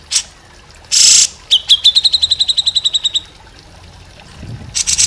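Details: Grey-cheeked bulbul song used to train other cage birds. A harsh noisy burst comes first. Then a quick, steady trill of bright notes holds one high pitch for nearly two seconds, and brief rustling bursts close the passage.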